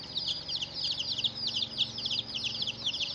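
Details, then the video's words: Chirping of chicks beside a hen: a continuous chorus of thin, high, downslurred peeps from several birds, overlapping and bright, over faint low background hum. "Hen Murgi Baby "Chicks Chirping" Sound"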